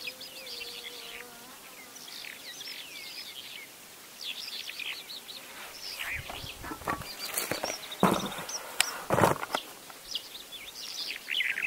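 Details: A Bimaculated Lark in Turkey sings a run of high, varied twittering notes and short slurred chirps, broken by gusty bursts of wind noise near the end.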